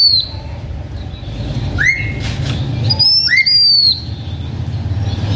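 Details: Lure song of a blue-winged minla kept by a H'Mông owner: a falling high whistle, then two pairs of phrases, each a rising lower sweep answered by a high drawn-out whistle; faint steady hum below.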